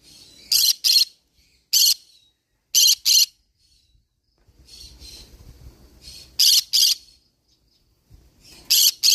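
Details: Green-cheeked conure repeating loud grating screeches mostly in pairs, about five pairs over nine seconds, with quieter scratchy chatter and low rumble between them.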